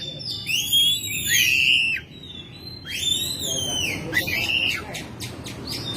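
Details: Home-kept Oriental magpie-robin in May gives loud swooping whistles, arching up and down with strong overtones, separated by short pauses, then quick scratchy notes and a final whistle.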